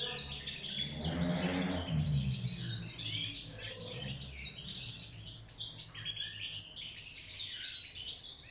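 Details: Wild European goldfinch in a cage, singing for mating and nest building; busy high twittering and tinkling trills, briefly masked near the start by a low rumbling noise, then resuming clearly.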